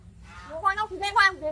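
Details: A hill myna makes odd, voice-like sounds, a brief phrase of two or three syllables rising and falling like human talk, with faint laughter from people nearby.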